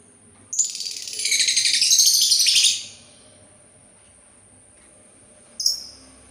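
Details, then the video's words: Sultan tit with a sustained rattling, buzzy chatter of about two seconds, pulsing rapidly and high-pitched, then silence and one short sharp note at the end. "suara burung labet Sultan"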